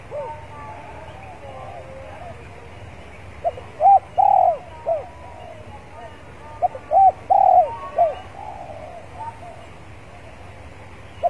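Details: Spotted dove kept as a decoy, warming up in a yard before singing: loud rounded coos delivered in short bursts of two to four, separated by pauses, with quieter cooing between.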